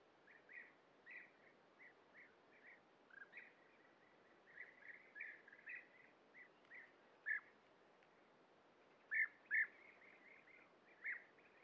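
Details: European bee-eaters calling at a breeding colony, adults feeding young at nest burrows, filmed with a Sony PXW-FS5; rapid overlapping rolling trilled calls, several birds, with louder close calls near the end over soft background hiss.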